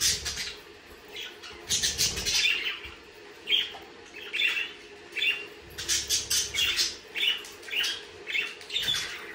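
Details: Budgerigars, the Australian parakeet, give a busy run of bright chirps and squawks, bursts packed closely together, some loud, with soft rustling and wing-flutter noise underneath.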